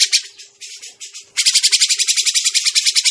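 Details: Grey-cheeked bulbul lure call for bird trapping: a few uneven buzzy bursts, then continuous fast, evenly pulsed harsh chattering of about seven notes a second to the end.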